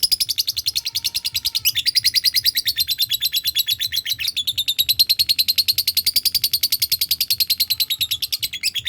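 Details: Caged lovebird giving the long ngekek trill, a fast unbroken rattle of high notes about three per second-fraction, steady for nine seconds with a slight rise and fall, set off by other birds calling nearby.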